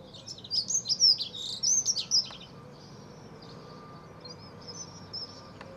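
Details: Dunnock singing in a back garden: a fast, high, jingling warble of about two seconds, then quiet with steady background hiss and a faint distant high chirp.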